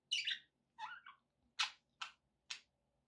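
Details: Pet budgerigar giving five separate chirps: a warbled scratchy note, a double-humped wavering call, then three short sharp chirps about half a second apart, in a quiet room.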